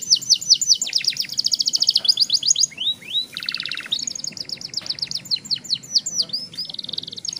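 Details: Young canary's long roll used to stimulate other young birds: rapid chains of clipped repeated notes shift through several pitches, with a few swooping whistles and a buzzy rattle mid-song.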